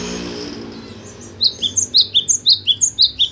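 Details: After a short quiet stretch with low hum, a caged cinereous tit bursts into ringing, high-pitched paired whistles, repeated evenly about twice per second to the end.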